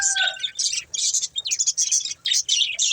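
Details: Budgerigars playing and eating, with a faint steady tone at the very start, then rapid bursts of high, scratchy chirping chatter in short pulses with tiny gaps.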